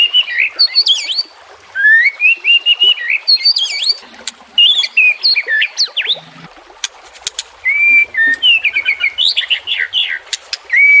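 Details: White-rumped shama song for training caged birds: a rich medley of warbled whistles, rising and falling slurs and quick note clusters, broken by short pauses and a few sharp clicks.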